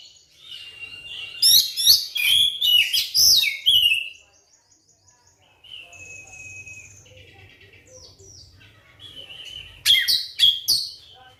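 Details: Oriental magpie-robin song played to get a silent bird singing again: a busy burst of varied whistles and chatter, a pause with a faint low hum and soft whistles, then another sharp, loud burst.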